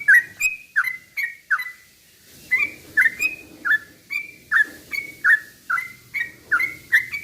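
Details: Yellow-vented bulbul lure song: repeated short whistled slurs paused briefly, then resumed over a soft low background hum, used to make other bulbuls sing excitedly.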